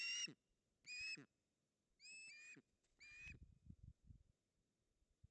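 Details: Ospreys, a male and female, struggling over a fish at their nest in Poland's Puszcza Napiwodzko-Ramucka, 16 August 2021. Four clear, piercing whistled calls, slightly upslurred, spaced about a second apart, then soft thumping movement.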